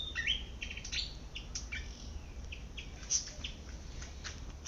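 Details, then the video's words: Malaysian pied fantail in a garden while foraging, giving scattered high squeaky chirps, fainter and more spaced, over a steady low background hum. "เสียงนกอีจู้ หรือ นกอีแพรด ร้องหากินในสวน"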